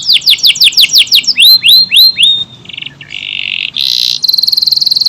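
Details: AF canary singing a long tight sequence: rapid descending chirps, slower rising whistled notes, then harsh buzzing and a sustained high rattling trill.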